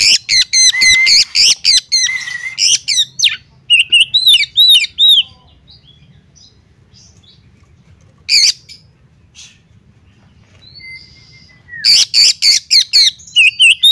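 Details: Oriental magpie-robin female calling a male, a training recording for caged kacer that have stopped singing: rapid bursts of harsh squawks and clicking notes mixed with bright whistled slurs, a pause of several seconds, then another loud harsh burst.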